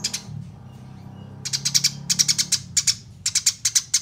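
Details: Eurasian tree sparrow fighting chatter, opening with a lone chirp, then a quiet stretch before insistent bursts of bright, clipped chirps repeated in quick series, with a low background drone.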